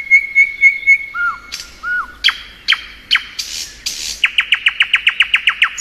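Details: Thrush nightingale in spring song: several steady piping notes, two falling slurred whistles, a few harsh bursts, then a rapid run of about a dozen loud, sharp repeated notes.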